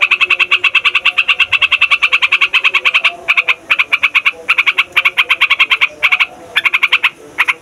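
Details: Yellow-vented bulbul rolling its song to lure and tutor other bulbuls: a long fast chatter of sharp notes, which then breaks into shorter bursts separated by gaps.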